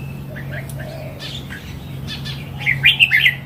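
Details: Mature wild red-whiskered bulbul sings a quick, liquid, warbled phrase at the close, preceded by faint scattered chirps over a low steady hum.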